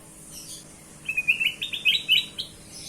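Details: Bulbul called kutilang emas, sung as a lure for other birds: a quick sequence of about ten bright, warbling chirps stepping upward, over faint background hiss.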